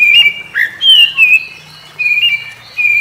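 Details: Morning song of an Oriental magpie-robin replying to others of its kind, made of loud whistled phrases held level, then dipping and rising again, with gaps of about half a second between bursts.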